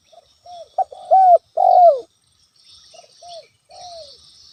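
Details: Spotted dove in full voice, a natural lure call meant to provoke a rival: a brief opening note, then two long mellow coos bending downward, followed by a softer, fainter repeat of the phrase; faint high hiss behind.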